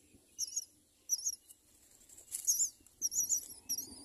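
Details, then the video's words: Myna family with four young at the nest; sharp, high, twisting chirps in short pairs over a faint background hiss and low rumble. "Myna birds, raises four children"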